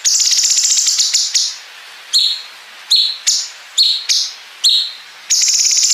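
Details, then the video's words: Bulbul, locally called cungkok, singing a master recording for competition songbirds with long joined bren fill and ngepik notes: opens and closes on long pulsed buzzy trills, with a run of sharp rising chirps between. "MASTERAN GACOR CUNGKOK ISIAN BREN PANJANG SAMBUNG NGEPIK"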